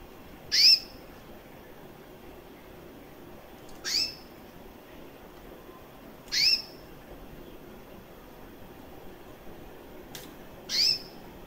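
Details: Recessive white female canary, about one year old, with red-factor eyes, calling: single short, high, upward-sweeping chirps spaced about three seconds apart over quiet background hiss.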